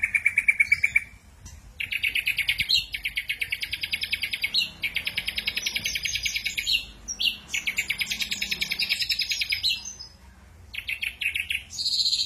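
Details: Ashy drongo delivering tembakan kasar, harsh burst song: long buzzy rattling phrases of rapid pulses, each lasting one to two seconds, separated by brief gaps, with sharp high notes between them.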